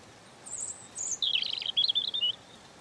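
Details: Small songbird, the European robin, singing softly: thin, very high sibilant notes lead into a tumbling, warbled phrase that rises and falls, against faint hiss.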